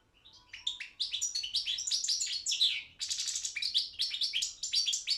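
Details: Balkan goldfinch, Carduelis carduelis balcanica, singing in a Serbian-organised world championship: dense, rapid twittering with fast trills and slurred whistles running continuously, a slight dip midway.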